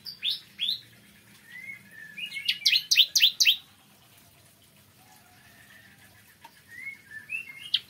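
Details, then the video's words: Morning singing of a bar-winged prinia: isolated sharp chips and soft whistles around a brief rapid cluster of loud downslurred notes. "Kicauan Ciblek Kristal Dipagi Hari"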